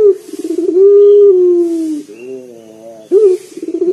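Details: Loud local collared dove kept as a lure for other singers: pulsing notes swelling into a long level coo that sinks away, a quiet wavering phrase, then a fresh rising stuttered start.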